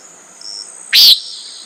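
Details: Common nighthawk uttering one short, rasping nasal buzz against a thin, continuous high insect tone.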